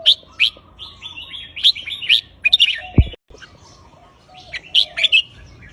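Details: Red-whiskered bulbul kept as a cage bird, giving counted song phrases: quick, bright, bubbling whistled notes in short clusters, one sharp knock partway through, then more lilting phrases after a brief quiet gap.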